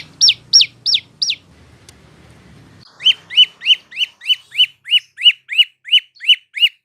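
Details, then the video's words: Prinia song used for tutoring cage birds: four sharp descending high chirps, a short break, then a steady series of about twelve lower, clipped chirps delivered at a brisk even pace. "Burung prenjak lumut atau lancur masteran"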